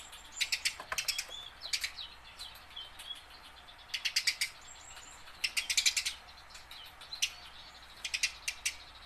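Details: Tame house sparrow used to draw song from wild-caught birds, chirping in rapid clustered bursts of harsh broadband notes every second or two, with brief whistled notes in the gaps.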